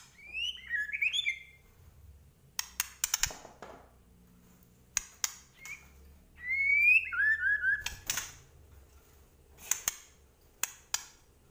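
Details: White-rumped shama of the Medan type in full song, loud rising and falling whistled phrases in two bursts, separated by sharp clicking snaps and brief high chips; low steady hum underneath.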